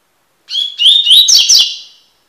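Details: Tui-tui song of a Double-collared seedeater, Sporophila caerulescens, used as a tutoring recording: three or four sharp whistled upslurs in quick succession merging into a rough buzzy finish, lasting under two seconds.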